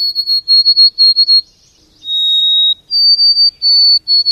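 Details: White-throated Sparrow singing in a yard in Québec, observed during lockdown; pure whistled notes: a short run of repeated high whistles, a slightly lower held whistle, then a higher series of repeated whistled notes.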